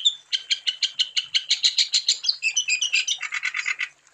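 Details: Wambi bird singing as a lure for other wambi: a steady series of about twenty quick, sharp, high notes accelerating into a buzzy chatter that drops slightly lower before fading.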